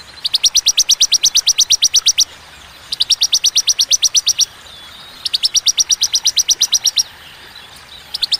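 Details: Three bursts of sharp, rapid high notes from a bar-winged prinia, each burst about fifteen to twenty notes, separated by short pauses, in the clear "tembakan" song style with pauses.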